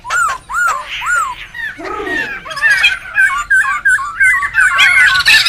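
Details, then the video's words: Laughingthrushes calling in the wild, noisy, for luring and tutoring birds: three clear arched whistles open, then a low croaking note, followed by quick wavering whistled phrases building into a louder jumble. "SUARA PIKAT DAN MASTERAN SEMUA BURUNG POKSAY RIBUT ALAM LIAR"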